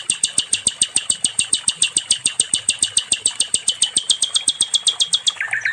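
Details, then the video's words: Nightingale, locally sikatan londo, as master song for other songbirds: rapid, evenly spaced high clicking notes, closing with a short lower descending slur. "SIKATAN LONDO🏆🔥 NIGHTINGALE"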